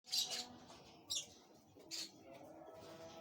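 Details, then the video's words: Rosy-faced lovebird chick, Parblue Opaline Pale Fallow mutation, being fed in a flight cage; short, high, hissing chirps come in four bursts spread across a few seconds over faint background hum. "Parblue Opaline Pale Fallow Chick feeding By rossicolle in Flight cage"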